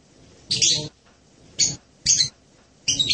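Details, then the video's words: Four separate harsh, high-pitched chirps from a hanging parrot, spaced irregularly, with some low rustling accompanying each note. "suara burung serindit"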